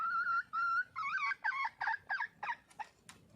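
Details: Junglefowl hen calling for a male, starting with two long, steady, nasal notes, then breaking into quicker, warbling, up-and-down notes that shorten and fade into brief sharp clicks.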